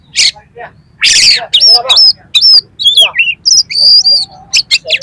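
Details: Oriental magpie-robin pouring out harsh, coarse song material to excite a rival magpie-robin: rasping noisy bursts, bright upslurred and downslurred whistles, and quick chattering notes packed tightly over a few seconds.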